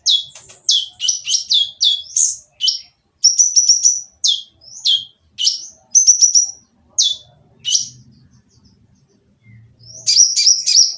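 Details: Sunbird singing harshly to draw other birds into song, with a quick series of high, falling chips and thin trills followed by a quieter stretch and a final burst.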